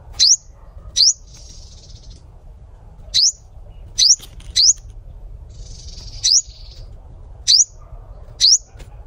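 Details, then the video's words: Sunbird singing spaced, piercing upslurred whistles, about eight notes at irregular intervals, some paired, with brief soft hissy rustles between them and a low steady hum beneath. "Hút mật 7 màu hót"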